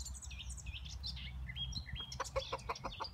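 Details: Backyard hens: a quick series of short, pulsed clucks repeats in the second half, over a busy layer of high, thin chirps and a low rumbling background.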